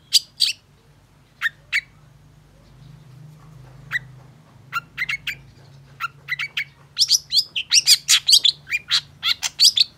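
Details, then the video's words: Long-tailed shrike singing, intended to encourage other shrikes: scattered sharp, scratchy notes separated by pauses, building into a fast, dense series of rasping chips in the last few seconds. "Pancingan Cendet Gacor Cocok Buat Masteran Cendet Macet Agar BUNYI"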